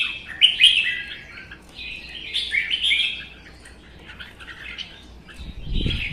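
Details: Singing contest between caged red-whiskered bulbuls in Vietnam, one wild-caught and kept one season, tail fanned. Warbled whistling phrases that soften midway, then end with a low thump.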